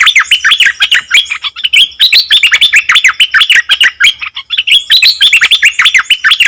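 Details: Nok dok taeng bird in full song, the kind that confuses wild birds; busy, unbroken chattering of sharp chirps and looping warbled notes, dense and high, with tiny gaps near the middle.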